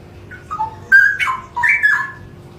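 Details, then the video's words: Straw-headed bulbul (cucak rowo) singing: a short run of rich, liquid whistled notes that dip and then rise into a bubbling warble, against a quiet background. "Full Suara Burung Cucak Rowo"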